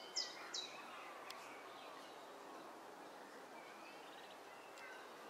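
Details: Three Egyptian goose goslings, accompanied only by their mother, on 17 June 2012: two thin, high peeps in quick succession, then one more at the end, over a steady background hiss.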